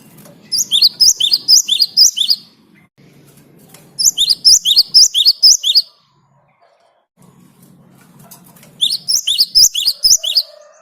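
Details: Great tit (Parus major) in continuous vigorous song, intended as a lure for other birds: three bursts of quick, high, sharp repeated notes over a low, droning background hum.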